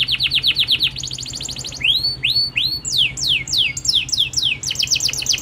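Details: A local canary sings fast, high tours: rapid chattering trills, then slower rising swoops and quick descending notes, about four per second, over a faint low hum.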